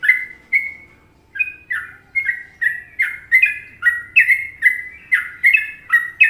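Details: Indonesian sooty-headed bulbul tutor song in a popular trucukan rhythm. Short liquid whistled phrases with a downward slur. A brief pause follows the opening notes, then phrases come steadily, roughly every half second, against near silence.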